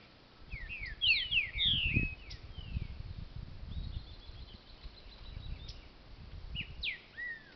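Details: Aviary-bred green-winged saltator giving rich slurred whistles, first a quick tumbling run of descending notes, then a soft rapid twittering series and a final pair of downslurred whistles, with low rumbling thumps underneath.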